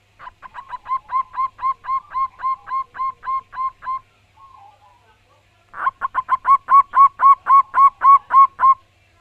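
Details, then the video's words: Loud, persistent song of a local wild zebra dove: two long bursts of rapid, evenly spaced cooing notes, about fifteen each, separated by a brief pause with a faint note. "Burung perkutut lokal alam gacor dor suara keras & lantang"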